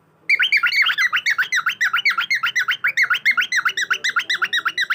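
A cockatiel gives a rapid series of harsh, chattering squawks, about four per second, without pause.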